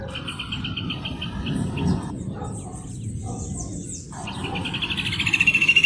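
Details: Rufous hornero song: a rapid run of sharp, evenly spaced notes that fades, pauses, then returns and grows louder toward the end, among chirps of other birds and a low rumbling background.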